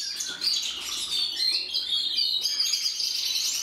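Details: Several canaries singing together, a dense mix of high whistled trills, slurred notes and sweeping tones overlapping without pause.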